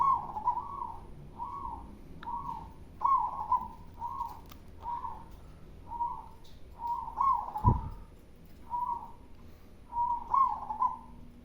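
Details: Loud song of a local zebra dove: a steady run of soft, rounded coo notes, some doubled, repeated in quick rhythm over eleven seconds, with a brief thump partway through.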